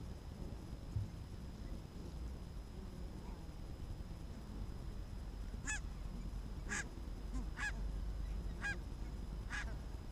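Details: Barnacle geese walking in the evening in Arabia on 1 October 2014. After a quiet start, five loud, clipped barking honks come roughly once a second over low, continuous background noise.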